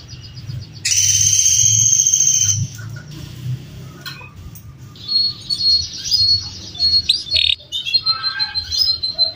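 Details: Domestic male canary, home-bred, singing a long master song for training: a loud, very high buzzy trill held nearly two seconds, a pause, then broken bursts of sharp high notes and chirps.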